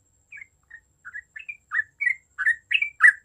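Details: Yellow-vented bulbuls in a chorus, singing vigorously. Short, warbled chirps start sparse and soft, then quicken and grow louder over three seconds.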